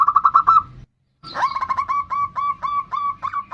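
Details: Singing bodronoyo zebra dove, a lure recording to prompt other doves: quick repeated cooing notes, a brief gap, then a faster series of bright, slightly rising coos over low background hum.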